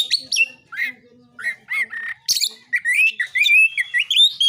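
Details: Oriental magpie-robin fighting song to stir rival birds: harsh chips and slurred notes, then a long run of rising and falling whistled warbles in the final two seconds.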